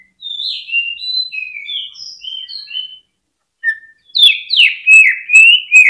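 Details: Cucak ijo, or greater green leafbird, singing to stimulate other birds: a slow series of clear whistled notes at shifting pitches, then a loud, rapid and harsher run of chattering phrases.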